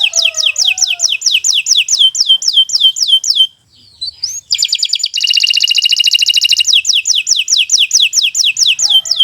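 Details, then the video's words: Canary, Kenari Nusantara type, singing a long, continuous tutor song: a series of repeated downslurred whistles, a short pause, then a dense buzzing rattle that returns to even, rhythmic downslurred phrases. "Kicau Burung Kenari 173 II LUAR BIASA GACOR PANJANG Cocok untuk Masteran"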